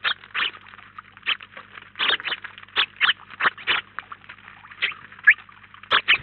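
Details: Flock of house sparrows at a garden feeder in Collado Villalba, where up to nineteen visit at the same time. Scattered short chirps and chips sound in irregular clusters, some loud and close. A faint low hum runs underneath.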